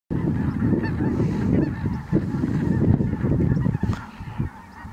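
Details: Ross's geese flying in at Merced National Wildlife Refuge on 22 December 2017: a dense flock chorus of overlapping high, yelping cackles that runs without a break, over a heavy low rumble of wind.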